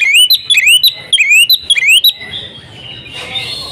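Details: Female Oriental magpie-robin calling a male to prompt him into singing; a string of upslurred whistled notes repeated nearly twice a second for two seconds, then fading into faint hissing background.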